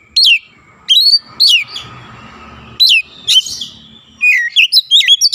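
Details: {'text': 'Oriental magpie-robin singing eagerly with borrowed Javan myna notes: separate loud, piercing whistles falling in pitch, then a quick stuttering cluster of chirps at the end, over a faint steady hum.'}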